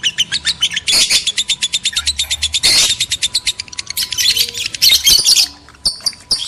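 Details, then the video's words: A recording meant to stir breeding in male and female lovebirds: long runs of rapid, sharply pulsed high chirps, harsh rasping squawks mixed in, then scattered shrill notes near the end. "PANCINGAN JEBOL BIRAHI BUNYI, BIKIN EMOSI LOVEBIRD JANTAN DAN BETINA"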